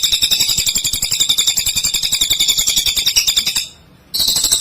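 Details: Strong, active cililin song serving as a training master for white-rumped shamas: fast, even run of thin, high chirps, nearly four a second, broken by a brief silent gap before the chirping resumes.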